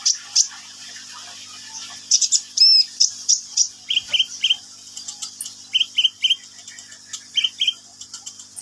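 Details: Sunbird singing actively: bursts of high, thin chirps mixed with short downslurred whistled notes in quick runs of three, uneven rhythm, over a faint steady hum.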